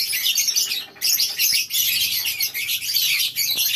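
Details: Morning in a colony cage of farmed lovebirds: a continuous mass of sharp, squeaky chirps from many birds, briefly thinning just before one second, then resuming.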